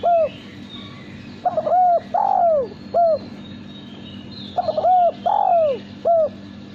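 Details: Kept male spotted dove with a clean contest-style coo, giving two full phrases about three seconds apart, each of short paired coos, a long descending coo and a clipped final coo, with faint chirps in the background.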